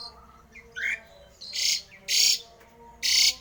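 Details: Javan pied starling giving a rare, odd song meant to stir other starlings into singing: short rising whistled notes alternating with loud, harsh, buzzy bursts about every half second, with faint chatter from other birds behind.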